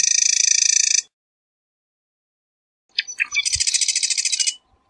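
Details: Marsh wren song: a dense mechanical rattle of rapid buzzy notes near one second long, then after a pause a short introductory stutter followed by another fast rattling trill, both high-pitched and evenly pulsed.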